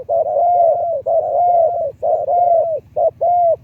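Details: Spotted dove kept as a decoy bird, its voice described in Thailand as a medium-to-deep liu tan style, giving low, hollow coos in steady runs of long drawn notes about a second each, ending with one short note and a longer one.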